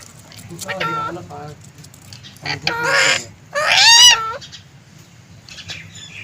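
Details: Pet green ring-necked parakeet producing three nasal, speech-like talking bursts with rich harmonics, the last one loudest and rising, separated by pauses and low background hum.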